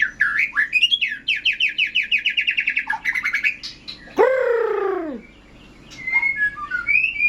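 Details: Caged white-rumped shama, in full song and ready for contest: a quick run of repeated chipping notes, then a harsh, drawn-out descending call, followed by scattered thin whistles.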